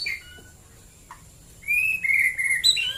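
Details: White-rumped shama in the morning, Klaten, Central Java. After near silence a bright phrase of clear, level whistled notes rises and steps about, ending in a quick higher flourish.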